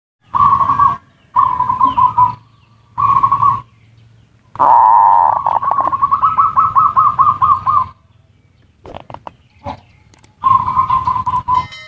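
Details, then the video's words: Zebra dove lure recording in ngerot and kuwor styles, meant to stimulate mating urge and lazy birds to sing: rough, vibrating cooing phrases in separate bursts with pauses, then a long rolling phrase of quick pulsed notes. "Suara pancingan perkutut ngerot dan kuwor cocok untuk perangsang birahi dan burung malas bunyi"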